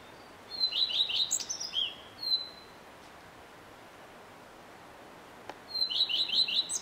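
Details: Male common redstart singing, heard from early morning till evening: two high phrases, each opening on a held whistle then a quick run of three or four sliding, repeated notes, separated by about three seconds of quiet.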